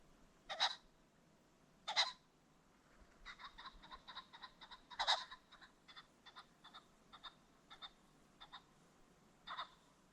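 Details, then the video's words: Ring-necked pheasant recorded along a creek bottom at sunset; four loud, harsh, broadband bursts spaced irregularly, with a run of quieter short clicking notes repeated rapidly between them over a soft background hiss. "The Sounds of the Ring-necked Pheasant"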